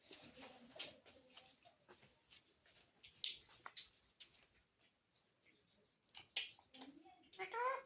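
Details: Alexandrine (hill) parakeet, a talking pet, chatters indoors in bursts of raspy, speech-like syllables with brief squawks and a few sharp, high notes, apparently saying "mommy".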